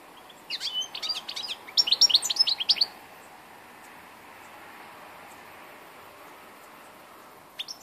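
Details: European goldfinch, an old bird, recorded 2 August 2014, gives a liquid twittering phrase of quick, high chirps and slurred notes for about two and a half seconds, then falls silent, with a few notes returning at the end.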